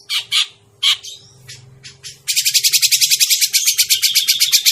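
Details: Grey-cheeked bulbul lure sound for catching birds. Separate harsh squawky notes come first, then a sustained, very rapid, loud chattering rattle of dense repeated notes fills the rest, over low humming.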